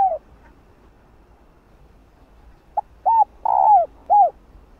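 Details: Hen spotted dove cooing to summon a male. A soft tail of one coo fades, then a faint note and a phrase of arched hooting notes with a longer falling middle coo. Low steady background rumble.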